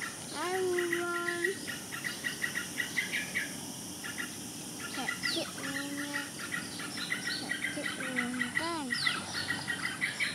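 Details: Yellow-vented bulbul calling: several clear, bubbly whistled phrases with rising and falling notes, spaced across the recording over a steady background hiss and faint ticking insect-like noise.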